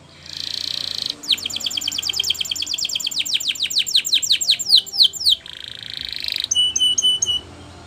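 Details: Training song from a canary: a buzzy trill opens into a long, accelerating series of clear downslurred whistles, followed by another buzzy trill and a rapid run of high, metallic notes.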